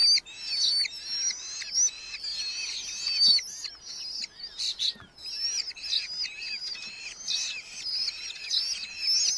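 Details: Red-footed falcons nesting in a large Hungarian colony, July 2025, chicks in a nest box fed beetles by their parents; dense, high chattering and whistled calls in repeated bursts, broken by a short scuffling noise midway.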